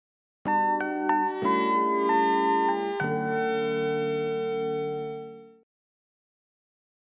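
Bright glockenspiel-like chimes strike a short run of rising ringing notes that sustain and fade after about five seconds, then silence, with no animal voice heard.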